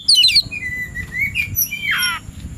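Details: Oriental magpie-robin in the afternoon, described as ready to fight a rival: a bright high twitter, then drawn-out rising whistles and a final buzzy descending trill.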